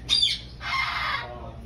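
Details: A Sulphur-crested Cockatoo in a pet shop in Richfield, Minnesota gives two harsh, raucous squawks: a short grating burst, then a longer rasping screech lasting about half a second.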